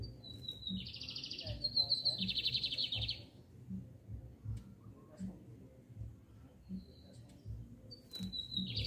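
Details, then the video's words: Double-collared seedeater singing a bright, buzzy high phrase of rapid notes for about two seconds, then a short fragment near the end, over low rumbling background noise. "O SENSACIONAL BIGODINHO VS TORNEADOS!"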